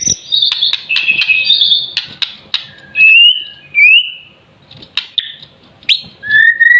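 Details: White-rumped shama, a bird still in juvenile plumage, singing: a jumble of quick high notes at first, then separate clear upslurred whistles spaced about a second apart, with faint clicks between them.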